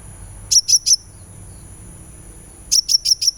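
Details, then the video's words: Sunbird sound used as therapy to get a bird singing: a run of three sharp high chirps, a long quiet gap, then four evenly spaced high chips. "suara terapi kolibri supaya gacor"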